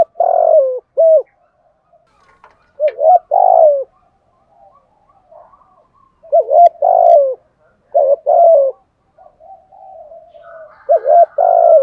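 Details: Cooing spotted dove, a lure voice meant to set young birds cooing in reply, repeating low phrases of short clipped notes around a longer rolling coo, about four phrases separated by quiet gaps with faint soft notes.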